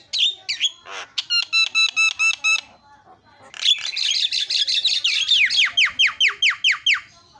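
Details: Javan myna used to trigger calling in other mynas: squawks, a rapid rattling stack of notes, then a long run of scratchy, descending, repeated chattering notes.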